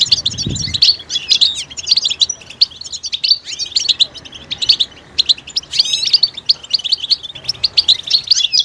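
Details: European goldfinch twittering linked to mating readiness and used to rouse males into song: a busy chatter of short chirps, with one rapid rising buzzy burst partway through and a soft thump early on.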